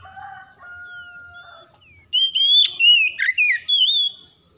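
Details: Oriental magpie-robin (kacer) in vigorous gacor singing, used as daily therapy to get birds singing. Two steady low whistled tones are followed by loud, clear rising and falling whistled phrases with short breaks between them.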